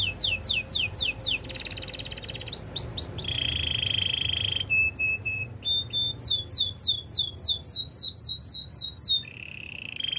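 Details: Training song from a Belgian canary: repeated falling whistles, a rattled trill, a long steady buzzy tone, short clipped notes, then a long run of rapid descending slides.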